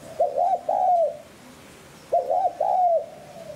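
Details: Spotted dove cooing for luring wild doves. Two full phrases, each a brief husky note, a slurred middle note and a long drawn coo, separated by about a second of quiet.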